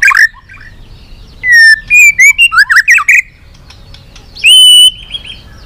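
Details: White-rumped shama singing a long song used to provoke rival shamas: short rough opening note, then a burst of rapid clicking and whistled chatter, a pause, and a loud drawn-out whistle with harmonics.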